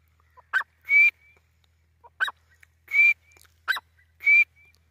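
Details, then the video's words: Grey francolin, known locally as teetar, calling: a short bright note followed by a louder, harsher ringing note, the two-part phrase repeated about every 1.4 seconds in otherwise quiet surroundings. "Dakhni teetar ki awaz | teetar voice | grey francolin teetar sound"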